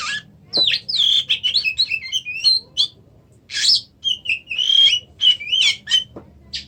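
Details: Oriental magpie-robin in rich continuous song, mixing sharp clicks and chips with sweet whistled notes that waver and slide, in rapid bursts with one short break midway; steady low hum in the background.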